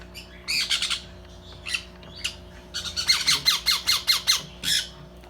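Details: Sun conure babies starting to eat produce rough, strained squawks. A few scattered notes lead into a regular run of about seven descending, rasping pulses, then one last harsh cry.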